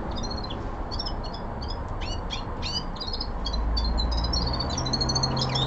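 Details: Twittering song of a common linnet kept at home: rapid strings of sharp chirps and short warbled phrases, fairly continuous for several seconds, with a constant low household rumble beneath.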